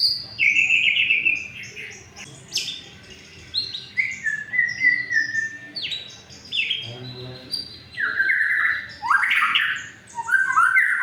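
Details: Song of a white-rumped shama, used as a lure to make non-singing shamas sing: a rich, continuous stream of clear whistles, slurred rising and falling notes and short scratchy chips, delivered rapidly with few pauses.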